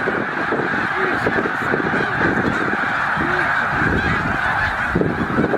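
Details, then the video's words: A huge flock of migrating snow geese, stopping over at Middle Creek Wildlife Management Area, Pennsylvania, on their way north to breed, fills the air with a dense, continuous roar of overlapping nasal honks and yelps. "Snow Geese Migration Moment"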